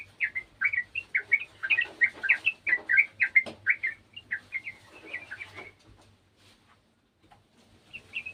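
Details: Sooty-headed bulbul (trucukan) song: a rapid series of short, bubbly whistled notes around mid-high pitch, delivered in a busy burst for about six seconds, then a pause before a few notes resume; faint low hum underneath.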